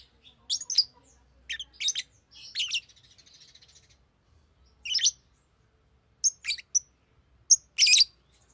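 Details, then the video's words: A Fischer's lovebird makes sharp high chirps in pairs and triplets, with a soft rattling chatter after the first cluster and a loud final squeal. "Fisher LoveBird Makes AMAZING Sounds!"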